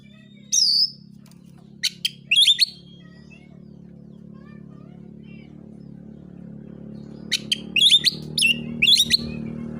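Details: Oriental magpie-robin in fighting song meant to provoke rival birds into singing; two short bursts of sharp, whistled and clicking notes separated by a long pause, over a steady low hum.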